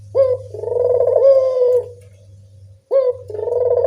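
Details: Barbary dove in the evening, recorded as a lure to get lazy callers going: two throaty, rolling coos, each opening with a sharp note, over a steady low electrical hum.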